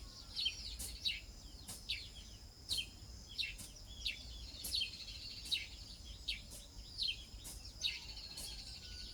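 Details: Ibis chicks give high, squeaky chirps more than once a second at an uneven pace, over a steady high insect hum.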